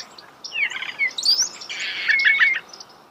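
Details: Starling singing nearby, a jumble of scratchy buzzy notes, high thin whistles and twittering over about two seconds.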